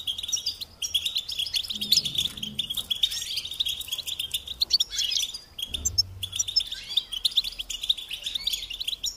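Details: European goldfinch pours out rapid twittering phrases with short liquid trills, broken by a couple of brief pauses, plus faint low thumps.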